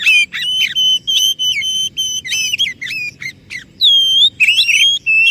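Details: Oriental magpie-robin singing as a lure to make a silent or stressed bird sing: a dense run of loud, level and bending whistled notes with rich overtones, repeated rapidly about three per second with brief gaps.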